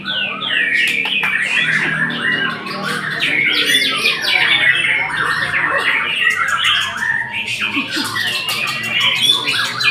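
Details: Loud, fast white-rumped shama song full of harsh squawky notes, twittering runs and sweeping whistles, continuous over ten seconds.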